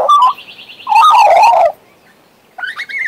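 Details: Western Australian magpie, a pet, warbling: a short slurred note, a long rich rolling phrase, silence, then a rising whistle.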